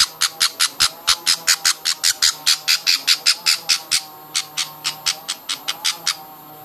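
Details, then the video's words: Hand-fed baby budgerigars beg with a fast, continuous run of harsh, broadband squawks, roughly two or three each second, steady in loudness and slightly thinning toward the end, over a faint indoor hum. "hand feeding baby budgies"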